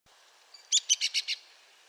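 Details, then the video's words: Arizona woodpecker giving a crisp run of five sharp, high, evenly spaced notes, loud and close against a quiet background. "Arizona Woodpecker Bird Sound"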